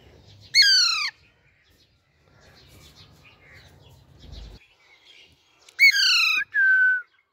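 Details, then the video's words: A young pet Alexandrine parakeet gives two harsh, ringing squawks that slide downward, the second followed by a short, steady whistled note, with quiet room noise between them. "Natural Voice of Baby Raw Parrot"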